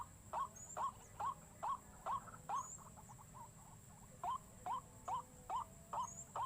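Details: Lure recording of white-breasted waterhen to make waterhens panic: hooked rising notes in a steady series that pauses for about a second midway before resuming.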